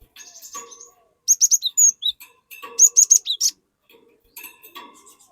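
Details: Cinereous tit singing to coax untrained tits into song: two bursts of rapid, high, ringing whistles, each ending in a lower slurred note, separated by softer twittering.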